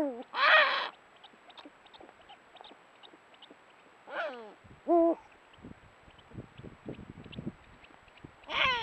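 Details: Eurasian eagle-owl of the Iberian subspecies hispanus in breeding season, the male offering a vole to the female as a nuptial gift; harsh rasping bursts alternate with short, descending, strongly harmonic wails, with soft clicks between.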